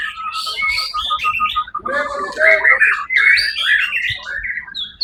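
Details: White-rumped shama at the Suara Agung competition, 1 October 2023, where it placed first; begins with a steady rapid string of repeated notes, then breaks into loud varied whistling and chatter.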